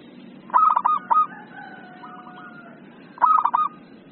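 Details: Local zebra dove in full song: a bright clipped opening note, then a quick stuttering run of tremulous coos, repeated after about two and a half seconds, with faint drawn-out notes between.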